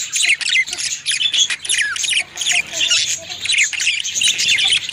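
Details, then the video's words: Budgerigars feeding their mate: dense, scratchy chirps and squawks in rapid overlapping bursts, with short rising and falling notes packed closely throughout. "how budgies feeding their mate"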